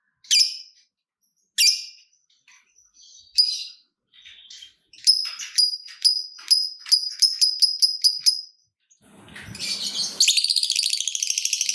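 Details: Fighter lovebird call used to prompt other lovebirds into song. Isolated shrill chirps build into a quickening series of piercing notes, ending in dense, buzzy high chatter over a low rumble.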